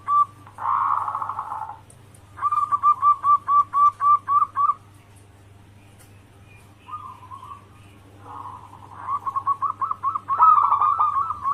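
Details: Lure song of a local zebra dove meant to draw replies from other doves: a rough trilled coo, a string of ten rapid cooing pulses, a pause, then softer coos building into a fast rolling series, with a persistent low hum.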